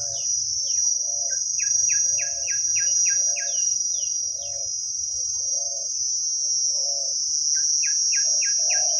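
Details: Wild spotted dove with a big, deep voice, cooing in the khu-ang style during decoy calling. Low hooting coo notes repeat about every 0.7 seconds under a loud, steady insect drone, with bursts of falling chirps from another bird.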